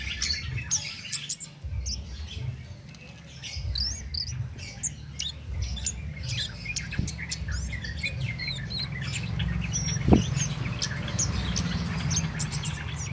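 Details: Cit keres bird singing continuously with no stimulants, recorded for training contest songbirds. A rapid stream of short high chirps and ticks runs throughout over a low hum, with one sharp click.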